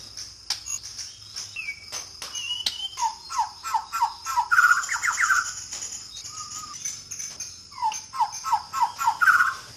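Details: Murai batu, the white-rumped shama, recorded in Sabah, Borneo; series of short downslurred notes repeated in quick bursts plus a few higher whistles and rich warbled notes, with a steady insect hiss and clicks.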